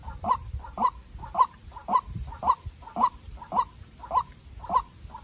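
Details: White-breasted waterhen, a young decoy raised on a farm, confronting a wild rival: steady run of ten strong croaking notes, about two each second, evenly spaced with brief softer echoes.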